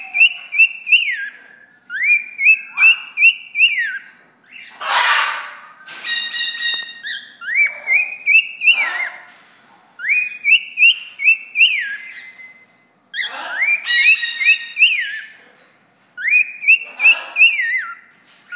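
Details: A male cockatiel living in an aviary, approaching a person standing in the corner, sings a bright, warbling whistled tune in repeated rising-and-falling phrases.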